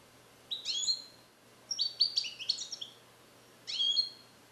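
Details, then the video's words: Captive-bred European goldfinch born in 2021, song-trained with Neapolitan passages and isolated in a carrier for recording, sings bright, high twittering bursts of rising and falling notes in three phrases, with a faint steady low hum behind. "Cardellino Passata Napoletana 2021 - European Goldfinch - Jilguero cante limpio"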